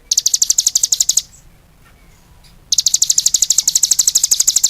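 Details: Cigun song in two bursts of fast, high chirps, separated by a quiet gap of about a second and a half.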